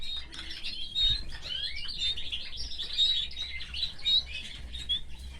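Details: Caged canary kept with its family, singing a continuous run of high chirps, trills and short whistled notes, with faint low rumbling underneath.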